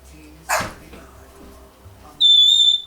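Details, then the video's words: Pet African grey parrot, a one-year-old female, babbling indoors: a short dry click or rustle, then a steady, pure, high whistle held for under a second against low room hum. "1 year old African Grey Parrot, Nala, just blabbering"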